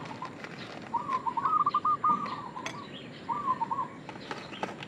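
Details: Local zebra dove calling as a lure: a long stuttering coo phrase followed by a shorter one after a pause. Clicks and light rustling are scattered through the background.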